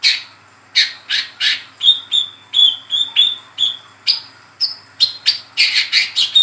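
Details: Young spotted Brown-throated sunbird giving energetic 'ngeriwik' chatter, used as a lure and tutor call. A long steady series of high sharp chips, some with short thin whistled tails, roughly three notes per second.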